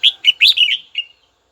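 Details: Red-whiskered bulbul calling a rival to excite other bulbuls: a single rapid run of five or six loud, bright, slurred whistles ending in a softer trailing note.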